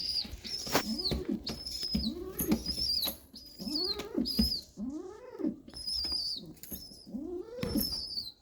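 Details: Pigeon chick being fed by regurgitation by its parent. Arched, wheezy rising-and-falling calls repeat about every second, mixed with thin high squeaks and clicks close by.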